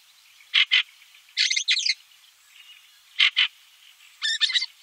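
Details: A black redstart, recorded in 2017, sings twice: a pair of quick high notes, then a scratchy, crackling rattle, repeated after about three seconds against a quiet background.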